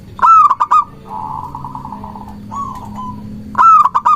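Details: Zebra dove, local Indonesian bird, singing as a lure to provoke rivals: a loud staccato cooing burst, a long soft trilled coo, a brief coo, then another loud clipped burst.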